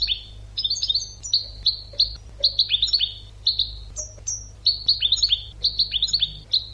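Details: European goldfinch tutor song recorded for training birds: quick bright twittering phrases of clipped, slurred notes high in pitch, repeated in bursts about every half second, over a steady low hum.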